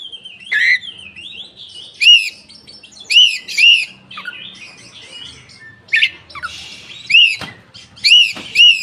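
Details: Oriental magpie-robin with tail open, singing as a lure for untrained birds. Loud arched whistles, each rising then falling, repeat in pairs, mixed with rapid scratchy trills and buzzy downward slurs.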